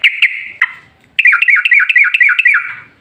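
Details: Yellow-vented bulbul song used to lure other bulbuls into singing: two short chirps, a brief gap, then a rapid run of about ten bright, liquid downslurred notes fading at the end.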